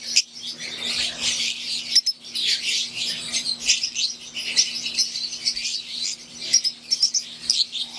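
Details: Caged wild-type green Fischer's lovebirds and Euwing lovebirds chattering together: a busy wash of shrill, overlapping tweets with occasional sharper clicks and brief dips, backed by a faint constant low hum.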